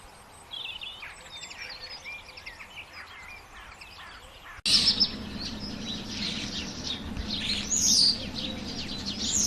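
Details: Birds chirping: soft, scattered high twitters at first, then a louder passage of sharp, high chirps and whistles over a steady low rumble.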